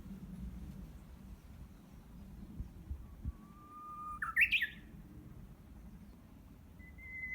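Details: Japanese bush warbler practising its song in June greenery behind a home, unseen: a low steady whistle rising into a rapid warbled flourish, then a lone higher whistle starting, over soft low background rumble.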